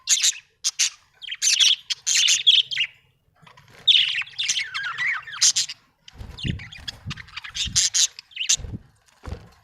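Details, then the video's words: Budgerigar chirping: dense bursts of rapid, scratchy warbling chatter and squeaky high notes in quick runs with short pauses; several low knocking thumps sound in the second half. "budgie chirping sound"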